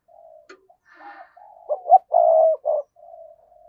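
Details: Spotted dove kept as a decoy, calling: quiet low coos, then a strong phrase of two quick notes, a sustained rolling croo and a short final coo, trailing into soft murmurs.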